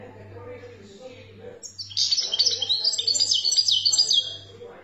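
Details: ['European goldfinch, Algeria, khaloui song style; after a quiet start with a low pulsing hum, a bright burst of rapid high chattering trills and tinkling twitters runs for about two and a half seconds.']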